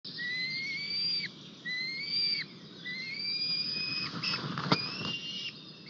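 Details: White-tailed eagle at an Estonian nest on 4 May 2023, where the male arrives with a fish and a single newly hatched chick is present; a series of drawn-out, slightly rising whistles, each about a second long, then overlapping calls and a sharp click.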